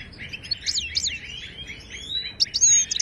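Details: Singing wild Moroccan European goldfinch, Ouidani style, recorded for training caged birds. Downslurred liquid notes and scattered chirps, closing with a sharp high whistle and a short buzzy burst.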